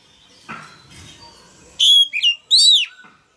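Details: Male Oriental magpie-robin, caged, singing to stimulate a young bird into singing along: after a quiet opening with soft lower notes, a loud burst of high, clear whistled phrases with sharp upward and downward slurs near the end.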